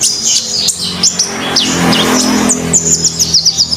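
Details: Common iora singing lively, recorded as a master song for training songbirds: a string of high, sharp chirps and short whistled notes, ending in a quick run of repeated clipped notes at an even pace, with low background hum.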